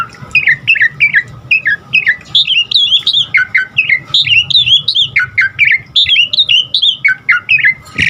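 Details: Varied song of an Asian pied starling, played to train caged birds to sing: lively repeated phrases of chattering, whistled notes rising and falling, delivered in quick bursts about every half second with a faint low hum behind.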